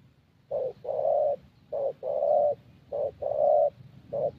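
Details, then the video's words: Young thổ Spotted Dove cooing at a Gia Lai decoy session in Vietnam, with a fairly good voice: repeated soft coo pairs, short then drawn-out, over a faint low rumble. "Thổ Tơ Âm Giọng Khá Tốt"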